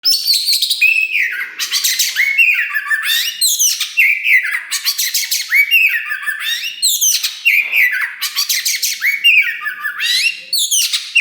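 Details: Kacer wulung (Oriental magpie-robin), a caged bird in loud full song, used to provoke other birds: harsh buzzy bursts alternating with clear whistled slurs sliding down, phrases repeating roughly every three seconds.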